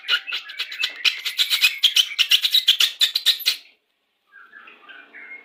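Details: Song of a Pastol-type white-rumped shama, played when pairing birds to bring them into breeding condition. A rapid, rattling string of sharp notes at about three per second stops abruptly, followed by a soft warble.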